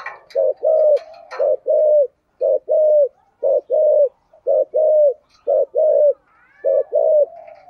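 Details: Cooing of a spotted dove, thổ cúc đình voice: about six pairs, each a clipped pulsed note then a longer falling coo, delivered rhythmically. A few brief clicks and faint chirps sound in the background.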